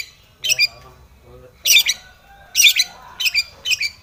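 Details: Long-tailed shrike singing aggressively as if seeking a rival: short harsh, raspy bursts in four or five separate groups, each with several rapid notes. A faint low hum sits underneath.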